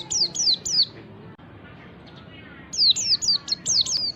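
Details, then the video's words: White-eye recorded as a lure for other birds, known locally as ngalas style: two bursts of high, quick, downward-sliding notes, about three then six, with a quiet gap between. "pancingan pleci ngalas memancing bunyi pleci"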